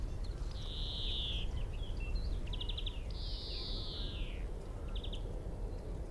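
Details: Male European greenfinch singing in a tree at Minsmere, 25 m away, captured with a phone, telescope and shotgun mic: two long wheezing buzzes, the second drooping at its end, separated by rapid trilled note groups, over a low rumbling background.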